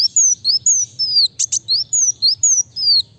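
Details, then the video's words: Rapid sunbird song, kolibri wulung: a steady run of high, thin whistled slurs sliding downward, interrupted midway by two sharp buzzy ticks, delivered about twice a second. "Kolibri wulung(kowul) gacor speed rapat"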